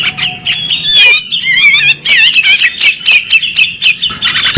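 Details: Brief burst from a female bearded magpie robin: a thin steady whistle, then wavering trilled whistles and quick bright chirps in close succession.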